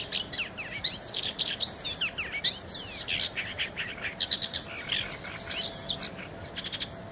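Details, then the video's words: Song of a paddyfield warbler, a bird of Central and Southeast Asia: rapid, varied chattering with sweeping whistled slurs and buzzy notes, delivered continuously over faint background noise. "Paddyfield Warbler"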